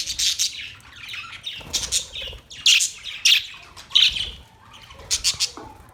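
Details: Budgies give separate bursts of sharp, high chirps, about one every second or so, with quieter gaps between the louder squawky notes.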